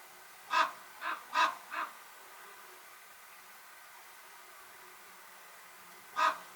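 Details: Common raven calling: a quick run of four harsh croaks, then a long pause and one more croak near the end, all rough and mid-pitched against low background hiss.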